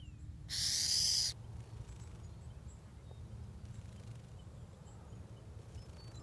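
A burrowing owl gives one harsh, rasping hiss lasting under a second that mimics a rattlesnake, over a steady low background rumble.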